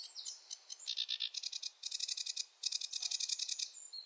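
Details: Sedge warbler, a wetland bird whose song never repeats the same order, giving a rushed chattering song of rapid rattling buzzy trills in bursts, broken by short pauses and a few high thin notes.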